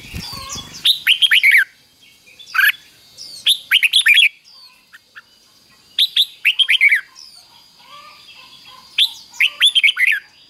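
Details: Red-whiskered bulbul in the slow, clear 'double' song style, fik-jik-fok, played daily to young birds so they copy it. Four separate phrases of rapid bubbling whistled notes come about every two to three seconds, with faint chirps between them.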